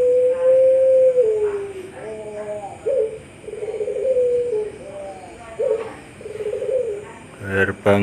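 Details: A Barbary dove (puter pelung) in an October 2021 song contest in Sragen gives long, low, drawn-out coos in several rolling phrases with slight pitch bends; a brief human voice and a knock are heard at the end.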